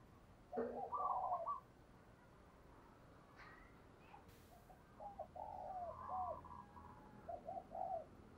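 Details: Decoy spotted dove cooing to attract wild birds: a loud opening coo phrase, then softer repeated hoots. A brief click and steady hiss are in the background.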